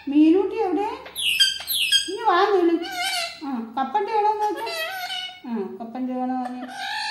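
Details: Indian ringneck parrot talking, producing speech-like phrases with formant bands and sliding tones, several short utterances broken by sharp high squawk-like notes, indoors.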